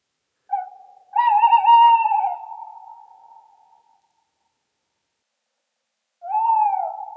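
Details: Tawny owl (Strix aluco), hoot.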